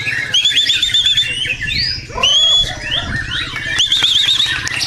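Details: White-rumped shama song for singing-contest training: repeated short wavering whistled trills, about three, between swooping slurred notes and chattering, with rapid clicks in the background.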